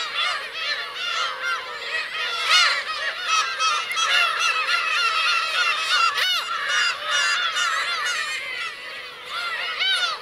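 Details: Crowded chorus of Black-tailed gull parents and chicks at Kurosaki coast, Teuri Island, Hokkaido, June 17 2021: countless overlapping harsh, arching mew calls, roughly three per second in the foreground, one loud cry near the middle.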